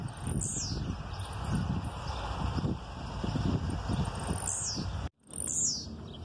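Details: Male Blue-black grassquit aggressive song with female calls behind it. Three sharp, high, descending buzzy notes are heard, one early and two close together near the end, over loud low rumbling background noise.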